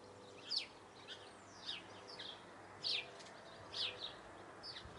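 Eurasian blue tit giving short, thin, high-pitched notes, some sliding downward, scattered about once a second over a faint steady background hiss.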